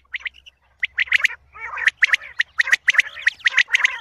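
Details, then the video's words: Common quail calling in the morning, used for quail hunting; harsh squawking notes in quick clusters of two to four, repeated through the clip with short gaps, fairly loud and clear against a quiet background. "Quail sound for the morning hunting | batair awaz subah shikar k leye"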